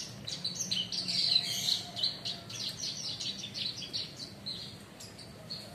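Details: Bushlark kept in a cage, in full song within a month, perched calmly: rapid high twittering with sharp chirps and short trilled notes packed together, loudest early then continuing more softly, light low background noise throughout.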